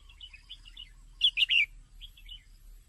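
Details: A female red-whiskered bulbul gives a brief burst of three loud, slurred chirps amid softer, distant chirping notes before and after; the call is used to stimulate males.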